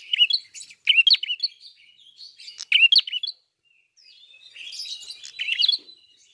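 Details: Red-fronted prinia (prenjak kepala merah) singing loudly: clustered sharp chirps in short bursts, a brief quiet pause, then a softer buzzy twittering phrase.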